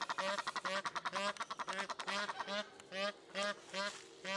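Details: Egyptian goose at Upie zoo, Drôme, France, calling loudly in a rapid, regular chain of nasal honks, then slowing to spaced, strained, squeaky honks roughly two per second.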